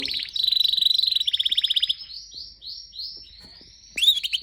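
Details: Pet canary singing. A rapid, high rattling trill comes first, then a run of slower, sliding whistled notes and a brief burst of sharp chirps, with faint clicks in the background.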